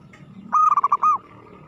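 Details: Zebra dove (Geopelia striata), song.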